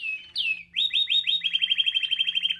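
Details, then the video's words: A champion American Singer canary, a song-bred breed dating from the 1930s, sings four bright upward-slurred whistles, then rolls into a fast, even trill of about a dozen notes, over a faint low hum. "ah the sweet sounds of the American singer Canary not your ordinary song bird"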